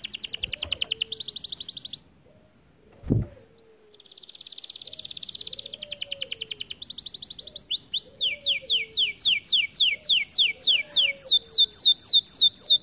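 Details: Canary song in phrases: fast high trills, a brief pause with a low thump, then a buzzy rattle, and finally rapid repeated descending whistled sweeps; a faint lower chirp recurs in the background.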